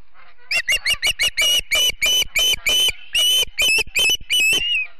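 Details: Ospreys at their Charlo, Montana nest on a September morning, 2016, filmed by a live nest cam: a steady rapid series of roughly fifteen piercing, whistled chirps.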